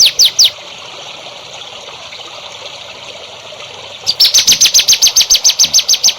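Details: Song used to teach young contest songbirds: three loud high notes, a pause, then a long run of crisp, sharp notes repeated about four times a second.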